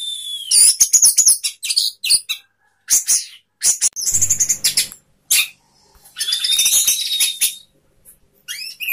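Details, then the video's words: Caged orange-headed thrush of the 'sapu jagat' style, tail spread, sings a busy, varied run of sharp high chirps, rapid trills and a drawn whistle, broken by short pauses. "anis merah sapu jagat, buka ekor"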